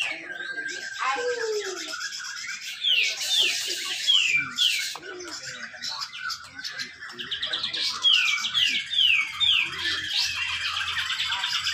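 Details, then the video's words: Contest bird in Malinau, North Kalimantan: a grey-cheeked bulbul delivering its tight 'besetan rapet' song to prompt other birds to sing, bursts of rapid downward whistles between pauses, with voices and other birds in the background. "cucak jenggot besetan rapet"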